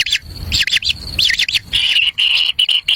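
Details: Kingfisher chicks in the wild jostling over a black lizard their parent brings to the nest; rapid high chirps with down-slurred notes give way to steady buzzy churring notes repeated in quick bursts.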